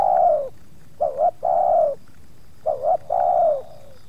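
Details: Spotted dove in a yard approached by two wild birds, the second putting up some resistance; two phrases, each with short rising hooked coos and then a long, slightly falling mellow coo, quiet gaps between.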